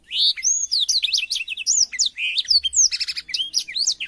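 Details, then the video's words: Blackthroat song used as a tutor recording for training canaries: a rapid, unbroken run of high whistled sweeps and slurs, with a short buzzy trill near the end. "suara burung blackthroat untuk masteran kenari"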